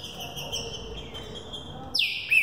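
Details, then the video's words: Green-winged saltator, a young bird readied for the 2018 singing season, gives a long steady whistle then a loud abrupt downslurred whistle at the end. "Trinca Ferro Thunder Truck passando mais de 20 por minuto."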